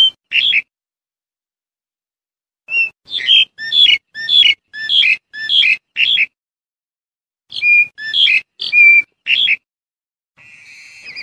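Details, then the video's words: Black-collared starling giving one brief call, a pause, then a rapid run of about eight harsh, chattering notes laced with whistles. After another pause come several more notes, ending in a faint buzzy sound. "សម្លេងសត្វក្រលីងក្រលោង ច្បាស់ល្អ (15នាទី) / Good of sound of black-collared starling (15 minutes)"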